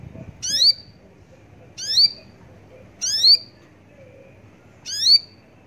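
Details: Four harsh, overtone-laden rising notes from a Javan bush lark, evenly spaced a little over a second apart, with a quiet steady background.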